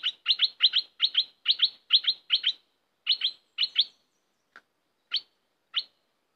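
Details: Red-whiskered bulbul kept as a cage bird, giving 'dok' song phrases: clear, bright paired chirps repeated in quick rhythmic bursts. They thin out into a few single sharp notes spaced about half a second apart.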